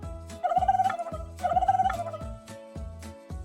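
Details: Turkey gobbling: two quick, rapidly pulsing warbled bursts about a second apart, each under half a second long, set against background music with a regular beat.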